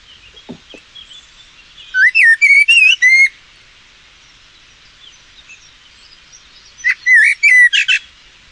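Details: Common Blackbird song in the UK: two unhurried, mellow whistled phrases, the first ending in brief higher twitters, separated by a pause of roughly four seconds, slow tempo typical of the species, over faint background hiss.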